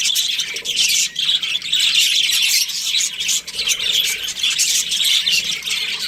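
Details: Busy, overlapping chirrups and sharp squawks from a breeding pair of Australian budgies, high-pitched and nonstop, with only a brief dip near the middle.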